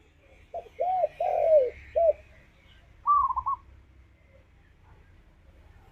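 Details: Lure song of a tekukur (spotted dove) in 'ngalas' style, meant to spur a kept dove into song: three hollow coos, one drawn out, then a brief higher rolling trill over faint background hiss.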